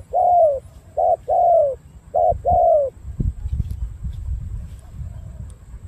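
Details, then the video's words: Spotted dove cooing: a short phrase of hollow, slightly falling coos with a brief gap, then rustling and low handling noise. "Đồng gù bài bản tốt"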